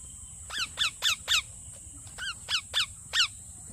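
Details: Chirping parrot giving short, buzzy, downward-inflected notes in loose groups of four, about four per second, over a steady high hiss and low background noise.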